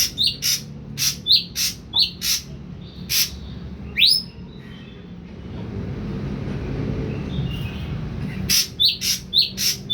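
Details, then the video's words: Ashy drongo, a young caged bird three weeks on full pellet diet, starting to sing: quick high chirps, one longer rising whistle midway, then fresh chirps after a quiet gap with background rumble. "SRIGUNTING ABU BAHAN 3 MINGGU PUR TOTAL DAN MULAI BERANI BUNYI"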